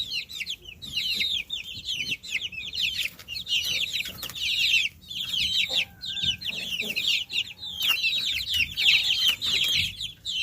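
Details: Many farm chicks peeping together in a continuous high chorus of quick descending chirps, overlapping bursts with short dips in volume, a few faint clicks and knocks in the background.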